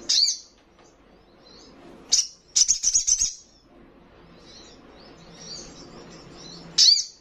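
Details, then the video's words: Young Brown-throated Sunbird giving sharp high chips, a brief stuttering run of clipped notes, soft thin twitters, and a final loud chip. "Sogon trotolan paling gacor"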